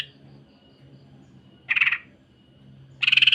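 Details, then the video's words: Greater green leafbird uttering two short, dense, buzzy high-pitched rattles a little over a second apart against a quiet background. "MASTERAN DAN PANCINGAN Cucak Ijo. Kasaran Rapat Mesin Jahit dan Suara Aneh"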